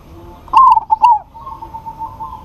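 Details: One crisp trilled phrase from a local zebra dove calling out to a rival: a stuttering burst of three notes rolling into a warbled coo, followed by a soft drawn-out coo from a more distant dove.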